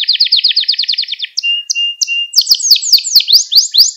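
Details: Young canaries' training song from a canary: a fast trill of repeated notes, a few whistled calls over a flat tone, then sharp sweeping upslurred notes.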